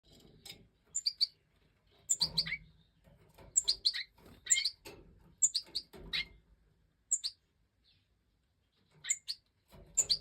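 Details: European goldfinch of the Major type in breeding season, giving bright high twittering and tinkling notes in quick bursts, with short pauses between phrases and some low rustling.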